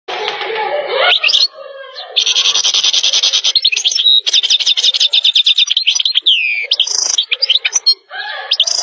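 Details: European goldfinch singing in Turkey: fast twittering song of rapid buzzy trills, tinkling notes and liquid chirps, with a lower nasal broken phrase at the start and brief pauses.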